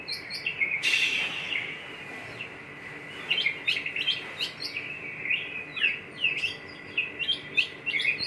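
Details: Oriental magpie-robin in Yogyakarta singing: sharp, high chirps and short whistled notes in quick irregular bursts, with a brief harsh rasp near the start, over a steady background hiss.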